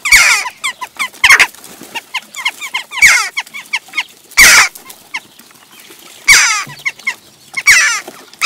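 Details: Group of wild Western jackdaws, adults with young after the breeding season, squabbling at a bird feeding station in Recke, Germany, 18 June 2021, recorded by a feeder camera. Rapid bursts of sharp, downward-slurred 'chak' calls overlap with loud scuffling thumps.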